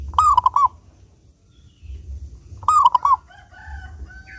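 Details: Local zebra dove, a steady singer with a clear voice, used as a lure to make other doves sing: two short cooing phrases of about four quick, rounded notes, the second phrase coming about two and a half seconds after the first, with a low background hum.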